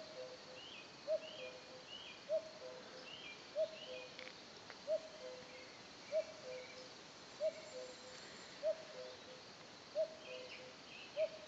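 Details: Long run of nine evenly paced two-note cuckoo calls, descending high to low, from a common cuckoo in the Lot region of France; other songbirds chirp and whistle higher up in a quiet rural soundscape.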